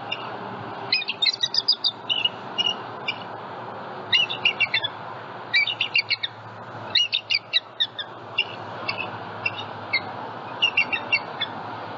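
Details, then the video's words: Southwest Florida bald eagle nest with eggs, a juvenile flying over it on a February morning; repeated bursts of high, sharp chittering notes, each burst a tight cluster, recurring every second or two over a steady background hiss. "SWFL Eagles * MORNING BLESSING * And Juvie Says Hi to Harriet M15 & Eggies As It Flies Over Nest"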